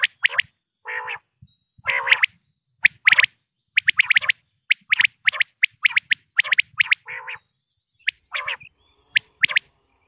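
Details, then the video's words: Common quail (batair) from Punjab, Pakistan, linked to hunting: short high clipped notes in quick bursts and pairs, mixed with lower, buzzy, harmonic-rich nasal notes, spaced irregularly over the stretch with quiet gaps between. "quail sounds 2023|batair ki awaz 2023|pakistani batair|top sounds of batair"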